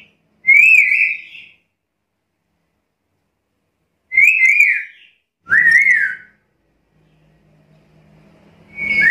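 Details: Chatty black-capped lory giving three loud, harsh whistled calls with a wavering, slightly falling pitch, two close together near the end, separated by quiet gaps with a faint low hum.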